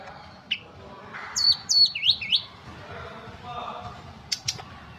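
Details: Ashy tailorbird, known locally as tledekan gunung, singing in full wiksar style: a quick run of clear whistled notes, each sliding downward, set among scattered chirps and faint background calls.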